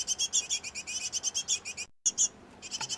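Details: Great tit nestlings in a nest box tended by a feeding pair: a steady stream of rapid, high piping chirps, about eight a second, broken by a short gap, then resuming.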